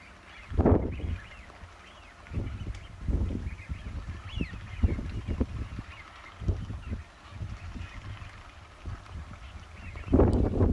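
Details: Eurasian wigeons gathered at Ouse Washes in the UK in October 2013: a dense flock chorus of arched whistled calls runs throughout, over repeated deep rumbling gusts of wind.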